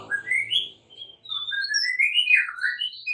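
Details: Morning song of a white-rumped shama practising fighting: smooth whistled notes gliding upward, then a series of slurred whistles climbing and dipping, over a faint low hum at the start.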